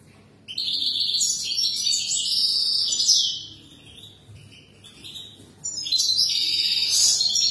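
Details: Singing European goldfinch whose song serves as a model for young birds: fast liquid twitters and trills in two bursts separated by a quieter gap with softer notes, the second burst returning loud and tinkling.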